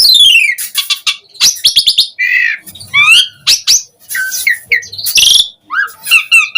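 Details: Asian pied starling song used as a lure to draw other starlings into responding: a varied, loud medley of falling whistles, buzzy chatter and harsh squeaky notes in quick bursts, with no other sounds.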